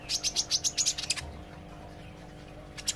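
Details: Olive-backed sunbird learning to sing, delivering a fast, even series of high piercing chips, about eight in one second, then falling quiet before a final brief burst. A faint mains hum runs throughout.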